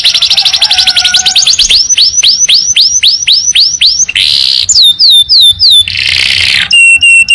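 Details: Canary training song with long trills: a fast trill opens, then rising-then-falling slurred notes repeat about three times a second, broken by two harsh buzzy bursts and very high downslurred whistles.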